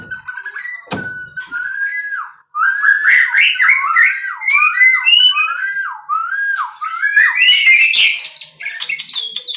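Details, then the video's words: Captive-bred white-rumped shama pouring out a long series of repeated down-slurred whistles in a rhythmic run, ending with high busy notes. "muray batu suara mantap"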